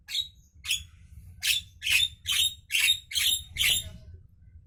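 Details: Javan myna in the morning uttering a rhythmic series of about eight loud, harsh, squawking notes roughly every half second, each grating and buzzy, over a low hum.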